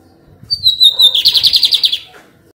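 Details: A lined seedeater sings on 28 June 2022, opening with a sustained piercing whistle that slides slightly downward, followed by a rapid rattling series of about ten buzzy notes that ends abruptly.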